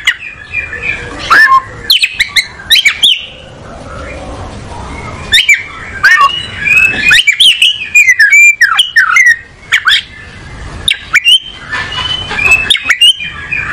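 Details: An oriental magpie-robin settling into a comfortable position while singing: clear whistled notes and warbled phrases, broken by loud sharp clicks and knocks.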